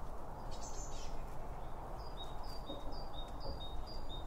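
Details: Binaural recording of birds feeding at a feeder, microphones set beside the seed: a brief buzzy note, then a run of short high chirps repeated about every quarter second, over constant low background rumble.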